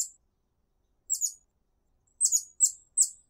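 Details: Very high, thin twittering chips from a garden hummingbird summoning others of its kind, given in scattered single and paired notes after a short pause.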